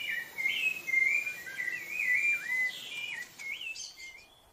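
A Rufous-bellied thrush sings clear, fluty whistled phrases, rising and falling slides in quick succession, over soft background hiss.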